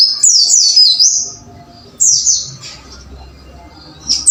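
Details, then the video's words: Caged white-eye in a training recording for the wucit-wucit style: a burst of high, thin descending chirps at the start, a second shorter burst midway, then a brief note at the end over faint low background hum. "MASTERAN BURUNG PLECI AGAR GACOR WUCIT WUCIT"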